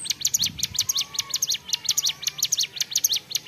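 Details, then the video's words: Ciblek gunung, a prinia, in full ceplekan song: loud, continuous, very fast high chips in a regular bouncing rhythm, with a faint low murmur early on. "CIBLEK GUNUNG GACOR CEPLEKAN"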